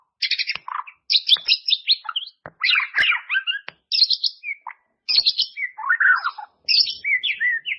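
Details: Varied white-rumped shama song meant to train caged birds: dense bursts of buzzy, chattering and whistled notes in quick phrases separated by brief pauses.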